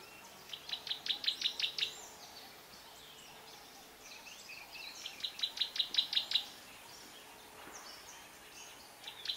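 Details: African paradise flycatcher (Terpsiphone viridis kivuensis) at Kibuye, Rwanda, March 2013: quick runs of eight or nine sharp, high notes, each about a second long, over a faint insect hiss.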